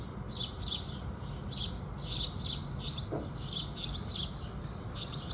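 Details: In the morning at sunrise, house sparrows give a steady chatter of short, high chirps, closely spaced and slightly irregular, with one brief low thump partway through and gentle background rumble.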